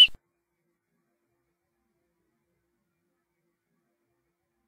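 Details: A single short click at the very start, followed by near-total silence with no animal voice.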